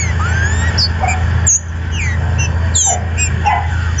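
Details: Captive green-winged saltator (trinca-ferro) kept by a registered breeder in Brazil; clear whistled phrases of rising and falling slurred notes, repeated in short bursts, over a steady low hum with a few dog-like background noises.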